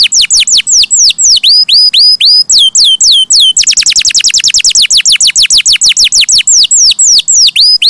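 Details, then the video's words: Canary in loud song: repeated descending whistles with hooked endings, speeding into a rapid run of quick falling notes, then slowing again. "Suara Burung Kenari!!! GACOR MERDU"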